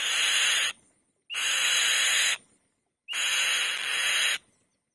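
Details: Close and loud, a female white-tailed kite on the nest utters three harsh, breathy rasps about a second long each, every one opening with a quick upward whistle, spaced roughly every one and a half seconds.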